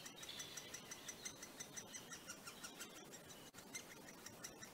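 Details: Great spotted woodpecker at its nest in northern England, late May 2020: a fast, steady run of short, high, ticking notes, about four a second, over a faint background hiss.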